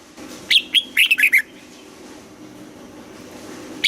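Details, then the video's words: Red-whiskered bulbul singing in the morning during song training, in a double-note mature wild-bird style: one quick burst of about six loud, bright whistled notes that slide downward, then a lone high note at the end over a faint background hum. "Luyện giọng cho chào mào hót sáng, ép chào mào hót âm kép già rừng hay tuyệt"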